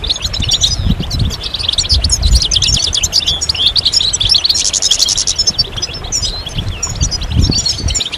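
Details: A chorus of European goldfinches used to stimulate males after moult: continuous overlapping tinkling trills and chirps, a short harsh buzz midway, and intermittent low rumbling below.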